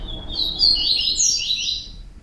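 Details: Yellow-bellied Seedeater singing a brief, fast jumble of high chirps and warbles, notes tumbling and slurring downward in a lively stream, over light background hiss.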